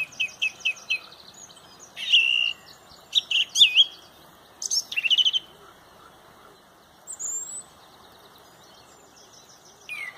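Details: Loud song thrush leading a sunrise dawn chorus at Pontrobert: a quick series of short repeated notes, then rich, ringing phrases in separate bursts, with thin high calls from other birds in between.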